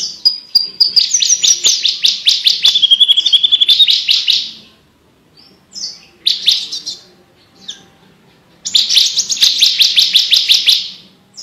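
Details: Javan bush lark in full, clear song used as tutor material for competition birds: fast trains of sharp high chirps, a brief sustained whistle, then a lower buzzy trill, broken by short pauses.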